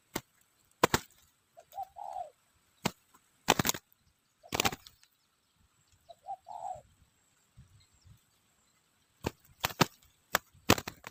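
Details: Spotted dove heard during bird luring, two soft low cooing phrases about four seconds apart, each a brief lead note and a rolling coo, largely covered by repeated loud sharp clicks and knocking sounds.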